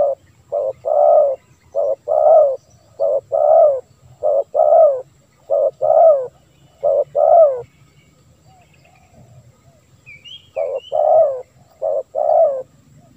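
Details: Spotted dove call for drawing in wild doves. Soft hooting coos alternate short and long in a steady, regular rhythm, pausing briefly midway, with a few faint chirps from another bird.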